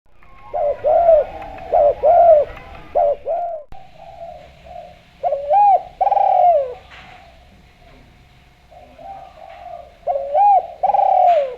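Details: Javan spotted dove, a vocal bird kept as a lure to draw other doves into calling, giving repeated low cooing phrases: short rising-falling coos followed by a longer descending, trembling coo, several series with quiet gaps between.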